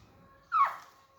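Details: A caged Alexandrine parakeet in an active, playful mood gives one harsh, raspy squawk that slides downward, over a faint steady background hum.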